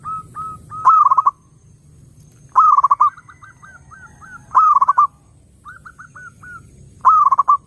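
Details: Zebra dove song to lure other doves: four loud, rolling phrases of rapid stuttered coos about two seconds apart, with rising and falling short coo notes between them.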